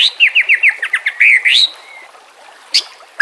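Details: White-rumped shama song for training captive birds, with water in the background: a quick series of about eight repeated falling notes, a rising whistle, then a sharp high chip.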